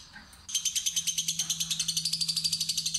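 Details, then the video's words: After half a second of quiet, a fighter lovebird bursts into its ngekek trill, a fast rattle of high pulses, over a steady low electrical hum. "Lovebird Fighter Ngetik Ngekek Terpanjang"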